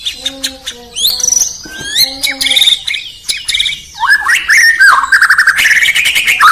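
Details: Indonesian White-rumped shama singing in the morning: separate bright whistles and clicks, then a rising flurry of loud slurred whistles ending in a fast buzzy trill; low droning tones early on.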